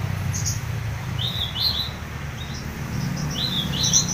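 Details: Horsfield's bush lark, known locally as branjangan, singing lively (gacor). Short thin chirps rise and slur upward in small clusters, high and clear, over a steady low rumbling background.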